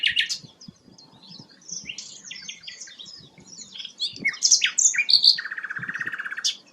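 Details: High jumbled warbling from a rare sikatan londo, loud sharp notes opening, a long medley of twitters, then a dense lower rattling trill near the close.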